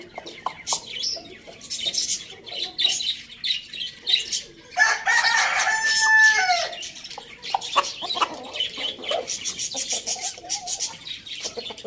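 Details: Rooster on a farm in a village, where roosters are eating tomatoes; one drawn-out crow of about two seconds rises from a busy background of sharp chirps and clucks, with scattered clicks before and after.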